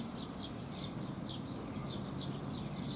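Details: Sparrows arriving for food on a rainy day, 19 June 2021; quick, high, downward-sliding chirps come every fraction of a second over a constant low hiss of rain.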